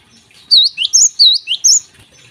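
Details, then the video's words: Morning song of a Java sparrow, used as a lure for other birds: a short run of five or six bright, high chirps, each curving up then down, alternating higher and lower notes in quick succession, in a quiet indoor setting. "gelatik gacor di pagi hari"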